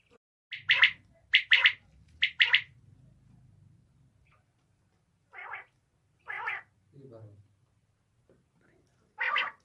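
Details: A female common quail, recorded as a quail hunting call, gives three quick paired, harsh mid-pitched notes, then a few softer, lower single calls over a faint low hum.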